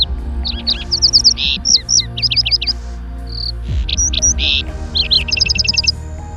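A lark sings a fast, unbroken stream of high chirps, slurred whistles and rapid trills, with a low musical hum underneath.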